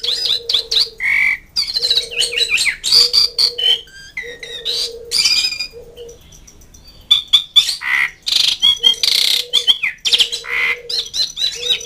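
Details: Asian pied starling calling out to mates and rivals: bursts of rasping squawks and chattering whistles separated by short pauses, while a low pulsing hum repeats in the background.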